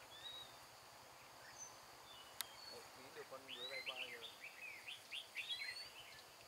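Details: In mountain forest in Hòa Bình on 16 April 2017, during bulbul trapping with a decoy bird, red-whiskered bulbul phrases of quick rising and falling whistled notes run through the second half, with a man's voice briefly underneath and a sharp click.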